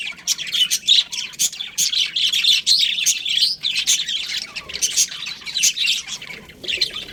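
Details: Budgerigars in a colony chattering steadily, many birds overlapping in quick, bright chirps and warbling squeaks with short pulses of louder calls.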